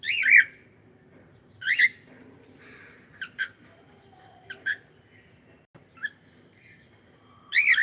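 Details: Pet cockatiel repeatedly giving loud, harsh squawking calls with shorter chirps between, spaced one to two seconds apart in a quiet room.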